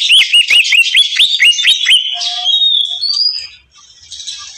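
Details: Greater green leafbird singing vigorously: a rapid string of loud, sharp upward-flicking chirps repeated about twice a second, then a sustained high whistle and a few softer whistled notes at the end.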